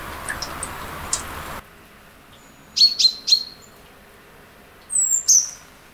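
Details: Eurasian blue tit in early April in a spring forest and garden, preparing a nest in a tree hollow and announcing its territory: brief high chirps, then thin high notes sliding down into a short trill.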